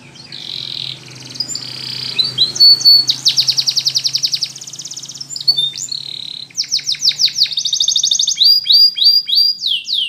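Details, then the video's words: A Spanish Timbrado canary training song: fast, metallic trills and rolling runs of high notes, shifting between bright tours every second or two, over a faint low hum. "Spanish Timbrado Song"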